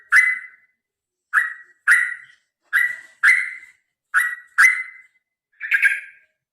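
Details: Fighting song of a sooty-headed bulbul used to spur birds into singing: sharp whistled notes, each falling away fast, grouped in pairs, roughly eight notes in six and a half seconds.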